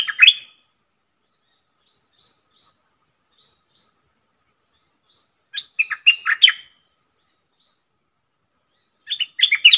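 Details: Red-whiskered bulbul decoy bird singing the dok taeng style with a rapid three-part sap dok phrase, used to teach young birds and lure wild ones; one full warbled, chattering burst mid-clip, partial bursts at start and end, soft faint notes between.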